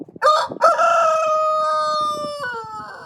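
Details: Rooster crowing: two short rough opening syllables, then a long sustained brassy note held steady for nearly two seconds, dropping sharply in pitch near the end.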